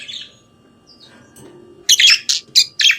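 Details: Budgerigar in the morning, mostly quiet with faint twittering, then a quick series of four or five loud, sharp chirping notes in the final second.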